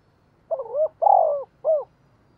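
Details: Lure calling from a decoy spotted dove: a wavering opening note, a drawn-out vibrating coo, and a short falling final coo, with faint low background hum.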